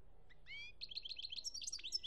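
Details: European goldfinch from Algeria, 2017, opening with a few rising chirps, then a fast jangling run of high liquid twitters and trills; faint low rumble beneath.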